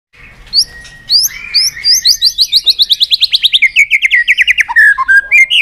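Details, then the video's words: Excited, fired-up White-rumped shama singing with tail flicking: a few bright rising whistles, then a fast run of about twenty sharp, clipped notes that slide gradually lower, ending in short whistled phrases. "chòe lửa đập tạch cực sung"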